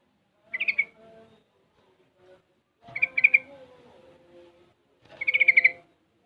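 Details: Young sooty-headed bulbul, six months old, practising ropel and garuda styles: three short bubbly bursts of quick pulsed notes about two seconds apart, each followed by faint lower warbles.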